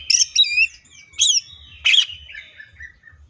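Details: Green leafbird in 'full tembakan' song, giving bright wavering whistled phrases and a harsh squawking burst, trailing off into soft descending notes, with low rumble behind.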